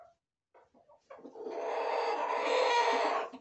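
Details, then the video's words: Chickens in a farm corral, roosters and hens together: a few short, soft notes, then a loud, sustained, harsh, broadband call held for about two seconds before it cuts off. "Gallos y Gallinas"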